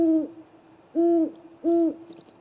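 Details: Nest camera at a great gray owl snag tree at 8:50 pm in April captures a visiting great horned owl pair: three deep, flat, drawn-out hoots about seven tenths of a second apart, a faint higher chirp at the end.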